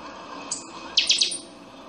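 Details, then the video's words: Buffy-fronted seedeater, or pixoxó, giving a chanchão song: a single high sharp note, a brief pause, then three rapid, bright, metallic descending notes and a thin high trailing tone. "CANTO DO CHANCHÃO - PIXOXÓ"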